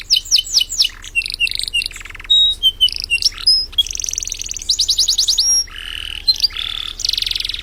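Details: Canary that won a bird contest in East Java, Indonesia, singing a jumbled sequence of quick falling notes, chattering bursts, thin pure whistles and buzzy rattled trills, loud throughout with brief pauses.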